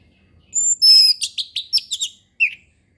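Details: Orange-headed thrush singing relaxed ngeplong style for birds learning it: high pure whistled tones, then a rapid stuttering series of sharp chirps, a brief pause and one final falling whistled note.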